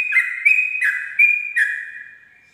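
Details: At dawn, a Sooty-headed bulbul gives 'ropel' style song meant for tutoring other birds: a few bright, slightly slurred two-part notes, a higher whistled tone then a lower one, spaced roughly half a second apart before trailing off.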